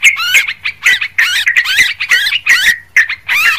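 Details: Sooty-headed bulbul (Pycnonotus aurigaster) giving busy, bubbly chatter: rapid bursts of liquid, warbling notes, about two per second, with no pause between phrases.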